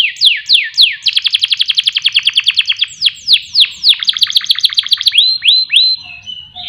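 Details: Canary song used to make other songbirds sing day and night: a few falling sweeps, then a rapid rattling trill, more descending slurs, and slower rising arched whistles at the end.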